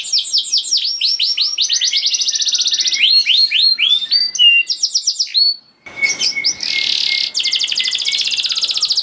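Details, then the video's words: Canary song played to get quiet canaries singing again: rapid high trills and sweeping whistled notes, changing tour every few seconds, ending in a buzzy rattle over a steady whistle. "Kenari Gacor Speed Rapet Ampuh Buat Kenari Macet Jadi Ikut Gacor Lagi || Voice of Canary"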